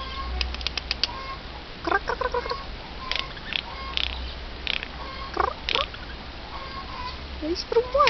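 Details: Eurasian jay calling, with a series of short harsh rasping notes, some in quick bursts, followed by a few brief higher tonal sounds near the end.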